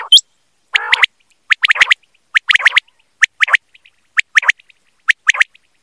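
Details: A quail calling in a clear recording made for quail hunting: a rough buzzy first note, then a steady series of paired and tripled sharp clicking notes, each group about a second apart.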